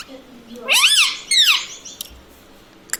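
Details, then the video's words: Green ringneck parrot at home mimicking words such as mummy and radhe radhe; two loud rising-and-falling squawked syllables in quick succession, then brief clicks in a quiet indoor room. "Talking mummy papa|| mummy vala parrot || mithu bolo radhe radhe"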